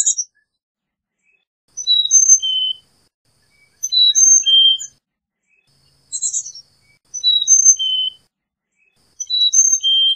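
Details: Carolina chickadee repeating its high, pure whistled song of four notes dropping in alternating steps, phrases spaced roughly two seconds apart with short quiet gaps.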